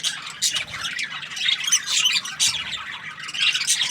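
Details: Budgerigar chirping happily in short bursts of high, scratchy chirps and squeaks with quick rising and falling slides, separated by brief gaps.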